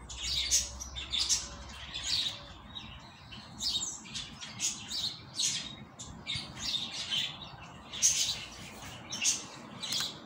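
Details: Rusty-collared seedeater singing the tui tui style while returning from moult: bursts of sharp, high chirps and trills repeated roughly each second, separated by brief pauses, over a faint low hum.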